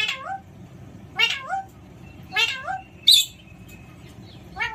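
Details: Pet Alexandrine parakeet at play, giving loud harsh calls with stacked, falling tones, four bursts spaced about a second apart, the last ending in a short high squeak; faint background hum.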